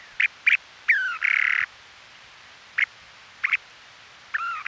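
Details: Western snowy plovers, nesting season 2018 on Ormond Beach in Oxnard, California, recorded by trail camera: short clipped chirps, a descending slurred note into a long harsh buzz, then spaced chirps and a closing looped whistle.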